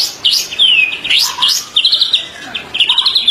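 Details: Song of a white-rumped shama, for training captive birds: a varied mix of descending whistles, quick upsweeps and clipped high stuttering notes.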